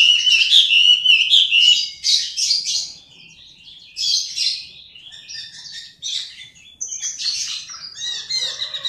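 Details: Chinese hwamei in full song, bursts of bright, chattering and whistled notes in clusters, with brief quieter gaps between phrases and a rapid pace of varied elements.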